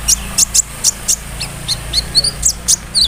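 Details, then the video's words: Sunbird song used as a lure so that other sunbirds answer: sharp, very high chirps and short whistled upslurs, about three per second, with a low steady hum underneath. "SEMUA BURUNG KOLIBRI NINJA AKAN NYAUT DENGAN SUARA KONIN INI"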